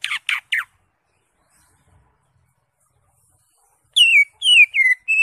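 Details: Caged green leafbird whistling: three quick sharp downslurred notes, a long silence, then four louder drawn-out whistles that fall slightly and level off, used to encourage a caged bird to sing.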